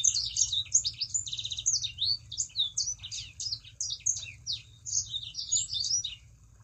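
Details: A Sangihe shrike-thrush delivers an unbroken chatter of rapid, high twitters and trilled notes, meant as a lure to prompt other kept birds to sing along; steady low background hum.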